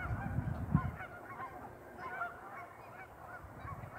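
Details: Geese, more than a thousand gathered on a pond, honking continuously; many short nasal calls overlap and repeat rapidly, with a deeper rumbling background and louder bursts near the start.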